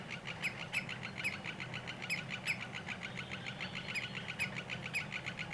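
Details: Male common greenshank during courtship dance before mating with its partner, about an hour before sunset, giving short, clear mid-pitched notes repeated irregularly every half second or so, over other chirps and low hum from a sawmill about 50 m away.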